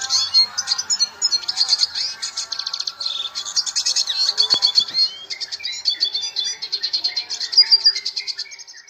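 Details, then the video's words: Red siskin in full, constant song: an unbroken stream of rapid high twitters, buzzy trills and chattering phrases, tightly packed and bursting in quick pulses for nine seconds, with a brief sharp click midway. "BURUNG RED SISKIN GACOR"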